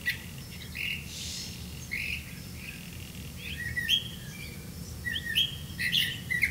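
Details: Grey-capped greenfinch, catching crickets for its young, utters scattered soft chirps and short buzzy notes that grow busier and louder toward the end, over a low rumbling background.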